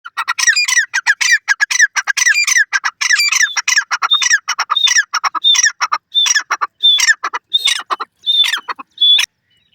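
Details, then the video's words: Grey francolin (teetar) giving a loud, harsh, rhythmic series of repeated notes with rich overtones, quickening at first, then slowing into spaced clipped notes, each led by a short whistled tone; no other sounds. "Partridge voice, Teetar bird voice, Teetar sound"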